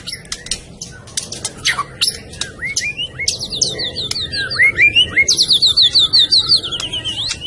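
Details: White-rumped shama from Medan: scattered clicks and short rising whistles, then rapid repeated high trilled notes in a long even series, over faint background noise.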